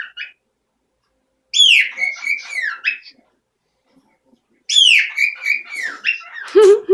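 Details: A pet parrot now loud every morning, proving the house is its own: two bursts of bright falling whistles trailing into rolling warbled syllables, with a lower squawk at the end.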